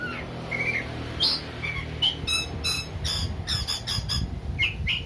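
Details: An Oriental magpie-robin's song for provoking a less combative bird: bursts of harsh, rapidly repeated rattling notes mixed with short whistles over a steady low hum.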